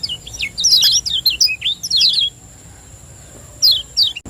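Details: Lombok lemon-bellied white-eye, a champion 'ciak joss' singer used as a lure: two quick bursts of bright, high, looping chirps in the first two seconds, a pause, then a short closing pair of notes.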